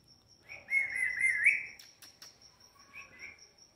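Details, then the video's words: Talking parrot kept as a pet, giving a single wavering whistled note for about a second, then two clicks and a faint short whistle, with a steady high electrical hum throughout. "बोलने वाला तोता, Talking with parrot, Bolne wala tota, Parrot Natural Sounds Video"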